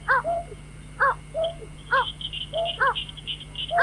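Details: White-breasted waterhen used to lure birds for night trapping, giving quick harsh bursts about once a second mixed with short lower slurred notes. A string of high chirps runs in the background alongside an electrical hum.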